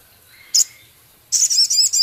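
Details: Male Javan cochoa in full song, with mimicked scarlet minivet notes and ticking and rough chattering phrases. A short scratchy burst is followed by a run of rapid, rough, high chattering notes.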